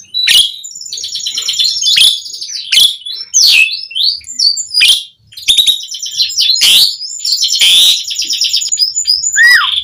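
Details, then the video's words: Asian pied starling, jalak suren, singing a rich varied song meant to prompt other starlings; fast high chattering phrases, squeaky slurs and harsh bursts, a brief pause midway, ending in a falling whistle. "Suara Jalak Suren Gacor"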